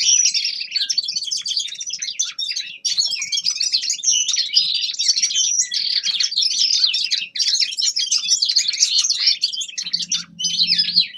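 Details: Young male common linnet in an extended winter warm-up song: a long, unbroken torrent of high chirps, trills and nasal twangs, with a faint low hum near the end.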